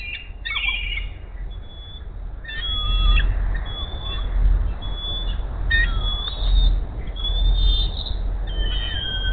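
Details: Female bald eagle at the Hays nest calling as the male delivers a rat in the morning: scattered thin, high squeals and sliding notes, some long and flat, over loud low rumble.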